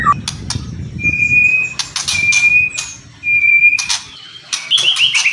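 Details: White-rumped shama (murai batu) song in kretekan and whistling style: sharp crackling clicks between three long, steady, level whistles of similar pitch, ending in a fast descending rattle, over low rumbling background noise.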